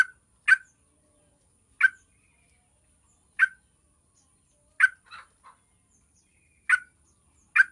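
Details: Lure sound of a yellow-vented bulbul for coaxing other bulbuls into song: short, harsh, clipped notes repeated roughly every one and a half seconds, one followed by softer chattering notes.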